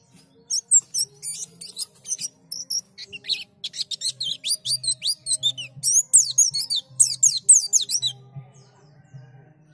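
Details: White-eye prompting sound for beak-opening: long, busy sequence of thin chirps and fast downward-sweeping whistles building in density, over a steady low hum.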